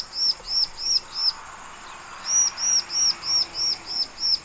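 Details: Loud singing from a bar-winged prinia (ciblek or prenja): two runs of high, clear, arched chirps, four then seven notes, each delivered evenly about three per second with a short gap between runs.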